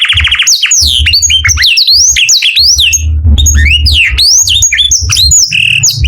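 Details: Canary in morning song: a short buzzy trill opens, followed by varied whistled notes sweeping up and down in quick succession, over recurring low muffled knocks.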